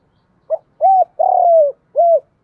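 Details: Decoy spotted dove giving a single 'thổ cục đình' style coo phrase to attract wild birds. A clipped lead-in note, one arched coo, a long gently falling coo, then a last rounded coo, with no other sounds.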